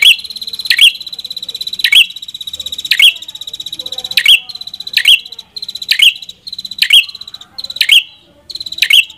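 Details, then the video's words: Red-headed prinia in continuous song, high buzzy phrases with sharp peaks repeated about once a second throughout. "Suara Burung Prenjak Kepala Merah"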